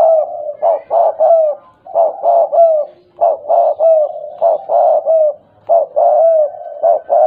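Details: Spotted dove, tame and vocal, with a stuttering delivery: steady runs of short, husky coos, clustered in twos and threes with longer slurred notes, around 48 a minute, continuing without background noise.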